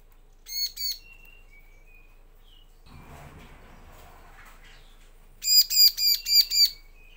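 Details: Bar-winged prinia used as a lure for males and females: two grating notes and faint thin whistles, a soft rustle, then a fast run of five loud buzzy notes.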